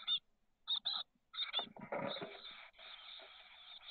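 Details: Six 13-day-old chestnut-backed chickadee nestlings in a nest box, SF Bay south peninsula, 30 May 2023: a few separate raspy bursts, then a jumbled loud scuffle merging into a continuous hissing chorus.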